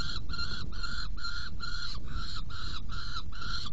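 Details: Saker falcon at a nest box during feeding on 17 June 2018 at 10:31: eight harsh, buzzy calls repeated evenly about twice a second, each a short strained note, over a constant low rumble.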